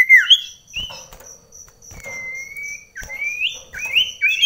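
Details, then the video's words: Common iora in an indoor singing contest with a scaly-breasted munia at very close range during rainy weather: clear whistled notes, one long level whistle and several rising slurs, over a steady high insect-like trill and faint knocks. "ADU Mental SIRTU Cipoh"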